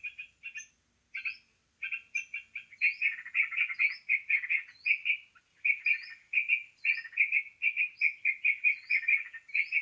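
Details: Lure call for trapping birds, sooty-headed bulbul: scattered chirps that build into a continuous quick chattering series, punctuated by high rising whistled notes throughout.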